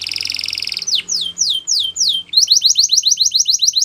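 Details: Spanish Timbrado canary song for training canaries: a high rattling buzz, then a series of descending whistled slides, then a quick rolling trill of repeated high notes.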